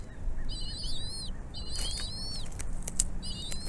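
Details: Feeding of bald eagle chicks by their mother at the nest; three drawn-out, high whistled calls with a wavering, slightly falling shape, alongside a few sharp clicks and a faint low background.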